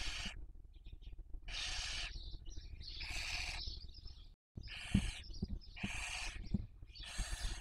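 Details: During the 2023 breeding season in Cabañeros National Park, Spain, a Barn owl raising young at a webcam nest; a regular series of harsh hissing screeches about once a second, interspersed with faint squeaks and a brief gap.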